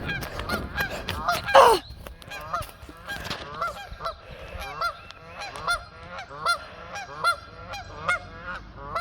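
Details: Geese flying off a pond after being chased, a loud burst of honking at first, then a steady series of clear, repeated nasal honks about every second.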